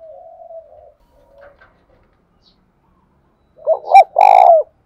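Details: Spotted dove decoy cooing to attract other doves. Faint low coos open quietly, then one loud phrase of two short coos and a long hoarse falling coo ends it.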